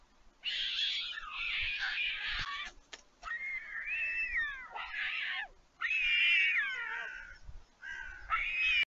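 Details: Young white storks, fledged siblings flying back to a nest at Leemansmolen, Vriezenveen, Netherlands, on 11 July 2022 when a parent arrives, begging during feeding: harsh wheezy hissing bursts mixed with sliding, cat-like mewing whines in repeated spells.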